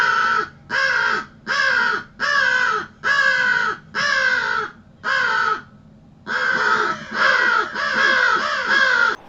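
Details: American crow (Corvus brachyrhynchos) in the Ottawa area in winter giving a long series of harsh, nasal caws, about one per second, with a brief pause before a final run of closer-spaced caws.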